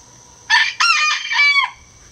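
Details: A 3-year-old Gold Sebright bantam rooster, the loudest on the farm, gives one short, high, harsh morning crow of about four syllables lasting just over a second, over a faint steady hiss.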